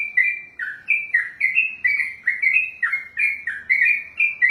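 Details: 'Ropelan' singing from a yellow-vented bulbul (trucukan): clean, loud whistled notes linked in a rapid series, each a quick downward then upward slur, about three per second, in near silence.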